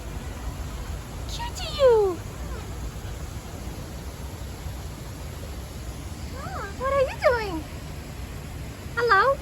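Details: Galah in a zoo park, getting head scratches, gives three short, speech-like utterances, possibly 'hola', each a wavering, falling phrase with a hoarse edge, a few seconds apart over steady hiss.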